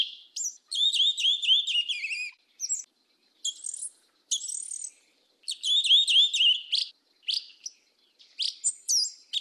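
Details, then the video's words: Yellow-legged thrush (sabiá-una), 'mateiro do sul' song type, singing fast, high, tinkling phrases of rapid repeated notes in bursts of one to two seconds, with brief pauses between. "SABIÁ UNA PRETA CANTO MATEIRO DO SUL"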